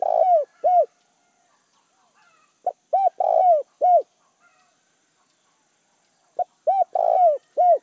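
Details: Spotted dove kept as a lure bird, calling to attract wild doves: three low, hollow cooing phrases, each with a clipped opening note, a long burry middle coo and a rounded closing coo.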